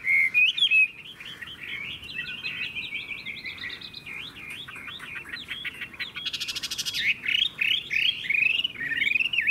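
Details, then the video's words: A caged hwamei, praised as a loud singer with a good voice, pours out a long run of rapid, wavering whistles and trills, with a brief harsh burst midway before ringing slurred notes resume. "Họa mi hót hét tốt - Giọng hay"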